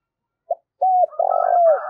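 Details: Short burst from a decoy spotted dove luring rivals: a brief pip, a level coo, then a long, rich coo that dips at the end, with higher murmuring notes over it.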